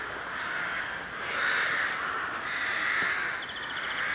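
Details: Rooks recorded 30 May 2011 at Ptačí ostrovy, Chrudim, Pardubice Region, Czech Republic: a continuous throaty cawing chorus, a little quieter, with a faint short rapid series of higher notes near the end.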